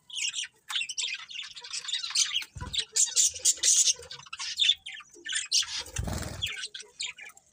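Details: Budgies chattering nonstop with fast, buzzy, scratchy chirps and warbles in bursts, broken by a short pause and a low thud near the end.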